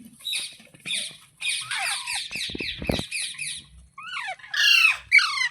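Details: Pet parrot, filmed as talking, with a fast run of repeated short chattering notes, then a few sharp, rising-then-falling squawks, the last ones louder and shrill.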